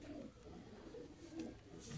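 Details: Painted domestic pigeons kept indoors, heard as quiet low murmuring coos in brief bursts over a steady background hum, with a light scrape near the end.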